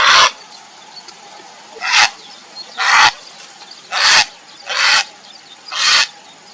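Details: Grey heron calling for a mate, giving rasping, hoarse croaks spaced about one second apart, six calls in all, each short and explosive, with a faint steady hum behind.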